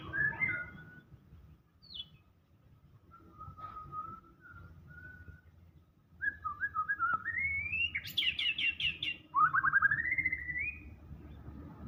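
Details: White-rumped shama in gacor full isian song, quieter at first with soft scattered whistled notes, then building into stepped whistles, rapid high chattering and a final rising rattled trill.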